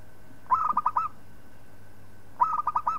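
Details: Zebra dove, a local bird, singing a master song for training others. Two rolling cooing phrases of rapid pulsed notes, about two seconds apart, set against a low continuous hum.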